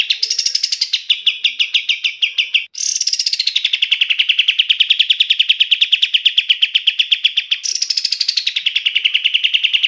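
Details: Training master song from the kapas tembak, the black-capped bulbul: three long chattering trills of fast repeated notes, each starting with a higher swooping note and then settling into a steady mid-pitched rattle, nearly continuous.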